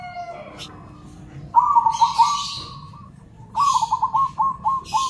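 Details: Local and crossbred zebra doves answering each other in a lively chorus: two bursts of fast, bubbling, pulsed cooing trills at an even mid pitch, separated by a pause and accompanied by brief hissy rustles.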